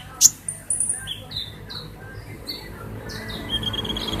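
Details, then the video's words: Van Hasselt's sunbird singing actively, with a sharp opening note followed by a run of brief high downslurred whistles and thin buzzy trills at a quick pace. The background is quiet, with only a soft low hum. "Burung konin gacor..... Kolibri ninja gacor banget"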